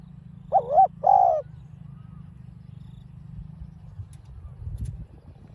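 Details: Spotted dove call in the mixed field voice style, meant to excite a caged bird. A single two-part phrase of soft hollow coos opens, then a long stretch of quiet faint rural background.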